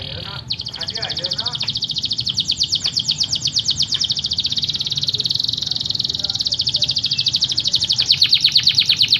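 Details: Yorkshire canary holding a very long, fast, even roll for over eight seconds, a high rapid trill that barely changes pitch, over steady low background hum.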